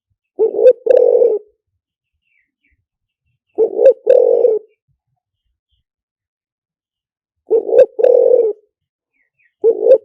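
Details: Repeated two-part coos from a spotted dove, lìw tan decoy song for attracting wild doves quickly: a brief rising coo followed by a longer grating one, about four phrases spaced evenly, otherwise silent.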